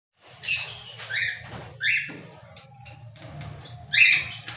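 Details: Cockatiel giving a few short, harsh upward-sweeping chirps spaced about a second apart, with a quiet pause in the middle and a steady low hum underneath.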